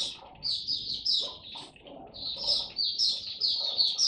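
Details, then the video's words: Oriental white-eye song display dated 26 November 2022: fast high twittering in two long runs, set against murmuring background sound and room noise. "Mata Puteh Buka Sing Raja"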